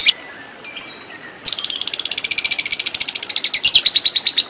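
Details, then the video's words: Fighter lovebird performing long 'ngekek' chatter for a training recording: a few scattered squeaky calls, then a sudden, sustained rapid rattle of harsh, high notes lasting about three seconds. "Masteran Lovebird Agar Cepat Menjadi Lovebird Fighter Ngekek Panjang"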